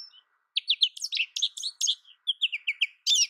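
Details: American goldfinch singing a quick, jumbled run of bright twittering notes, high and sweet, some sliding up or down, in two bursts with a short pause after the opening note.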